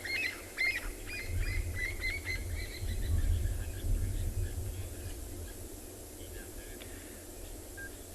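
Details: Francolins at sunset on 28 September in Tswalu Kalahari Reserve, South Africa, give harsh, grating alarm calls, a rapid series of rasping notes in the first four seconds, over low wind rumble and faint distant chirps.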